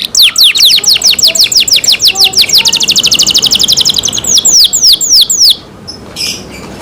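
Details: Canary cared for at home singing loudly: a fast series of sharp downward-sweeping whistles that speed into a dense trill, then slow to a few broader slurred notes before fading into a soft buzzy tail.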